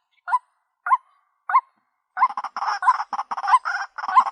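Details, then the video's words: White-breasted waterhen lure call: three clean croaking notes spaced evenly, then a dense, rough, overloaded run of rapid croaks. "SUARA PIKAT BURUNG RUAK-RUAK"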